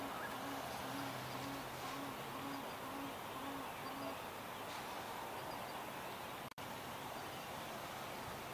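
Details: An adult male tawny frogmouth calls after sunset on 18 February 2024 in a suburban park beside Gardiners Creek, Melbourne, Australia. It gives about eight low, soft 'oom' notes, two per second, then falls silent against a steady distant hiss.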